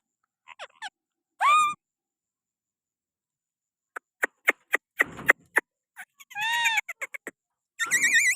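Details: Pakistani green parrot perched on a person's hand gives a few scattered harmonic calls, a drawn-out wavering squawk near the start, a rising-falling call later and a squeal at the end, separated by sharp clicks and long silences.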